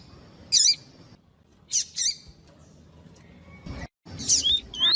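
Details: Double-collared seedeater, 'tui tui' style, sung to warm up rival males for tournaments; scattered high, bright chirps in short bursts, a double note near two seconds, then quick twittering notes toward the end over low rumbling.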